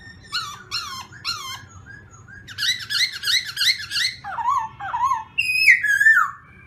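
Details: Black-throated laughingthrush singing in the morning as voice training: several upslurred whistles, a fast rolling series of bright notes, lower buzzy slurs, then a long descending whistle. Quiet low hum throughout.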